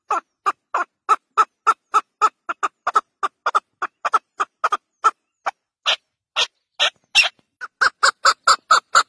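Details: Chukar partridge giving a long string of dry clucks, evenly spaced at first, then slowing into a few louder, more drawn-out notes before speeding up again into quick repeated chucks near the end.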